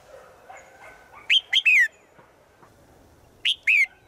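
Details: Female bird calling to the male in the forest: a three-note whistled phrase with a falling last note, then a shorter two-note repeat two seconds later.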